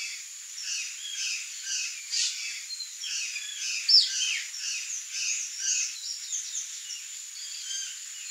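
A flock of Chopi blackbirds fills the air with overlapping whistles, chirps and chatter. A steady high hiss runs underneath.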